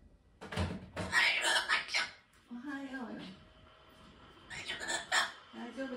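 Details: A pet blue-eyed cockatoo trades short, squeaky, speech-like phrases with its owner's mother in their daily morning greeting, in a small indoor room.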